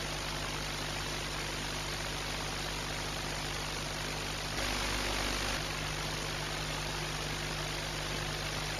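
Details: Steady, loud broadband hiss over a low mechanical hum, briefly louder for about a second midway, with no animal voice heard.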